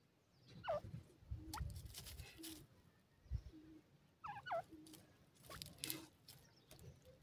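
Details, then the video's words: Grey francolin (dakhni teetar) calling in an excited mood: two sharp hooked notes that dip and then rise, about four seconds apart, over low rumbling background noise and scattered thuds. "dakhni teetar ki wonderfull awaj"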